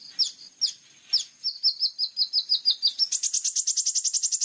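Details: Plain-throated sunbird singing actively with sharp 'full tembakan' bursts, tutor recording: a few downslurred notes lead into a run of quick high notes, then a fast, steady high trill.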